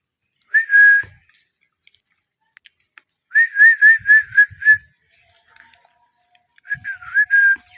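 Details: A pair of pet Indian ringneck parakeets chirping. A single drawn-out whistled note comes first. A quick run of about six bright, slightly rising chirps follows, then a final burst of chirps ending in a longer note. The room is otherwise quiet.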